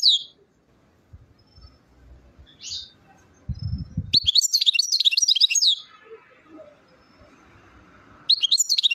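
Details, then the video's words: Goldfinch song recorded in Chouala, Mendes district, Relizane, Algeria: after a low thump and quiet, a fast liquid twitter of high jangling notes runs for two seconds. The song resumes briefly at the end. "تغريد حسون غليزان الشوالة"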